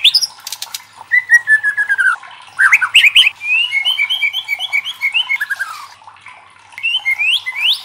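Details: Loud White-rumped shama song meant to provoke other shamas into singing, with descending chains of whistled notes, rapid chattering runs and rising upslurred whistles after a short pause.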